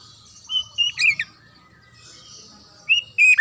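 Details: White-rumped shama, described as a wild forest bird of South and Southeast Asia, giving short whistled phrases near one second, then a quiet pause before a brief loud whistled burst at the end; faint low hum beneath.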